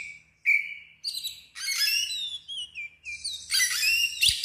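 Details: Oriental magpie-robin singing hard in loud 'ngeplong' style, agitated and fanning its tail: a clear level whistle, then rich, rapid phrases of sweeping, warbled notes with short pauses between bursts, very clean.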